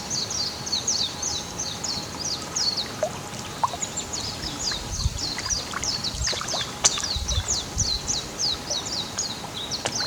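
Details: A Japanese white-eye in Japan in spring to early summer sings a long, rapid run of high, thin twittering notes, jumbled and continuous, over faint outdoor background noise.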